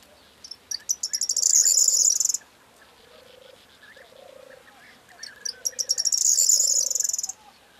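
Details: Corn bunting singing on 4 June 2022: two songs about four seconds apart, each opening with accelerating dry ticks that run into a shimmering, high, jangling rattle like shaken keys. Soft low droning notes and faint chirps fill the gaps.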